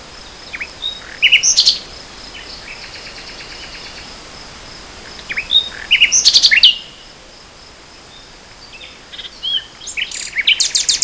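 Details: Nightingale song in spring 2014, delivered as separate strophes with silent pauses: each phrase mixes high sharp notes and fast rattling trills, the last rising into a rapid repeated series.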